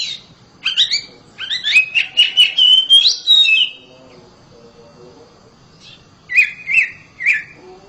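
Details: Home-kept oriental magpie-robin singing loudly, a fast chattering, whistled phrase of many short notes, a pause, then three brief separate rising-falling whistles.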